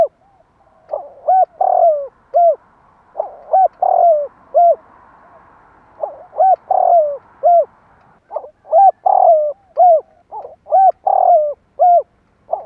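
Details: Spotted dove cooing to stimulate other doves. Low, soft coos in short phrases of several notes, each phrase ending in a brief falling coo, repeated roughly every two to three seconds with a faint background hum.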